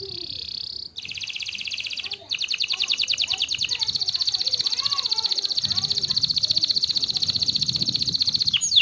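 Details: Canary singing in the morning: a long run of rapid, high trills, first steady buzzy rolls, then a fast, even rattle of repeated notes lasting several seconds, with faint low background rumble.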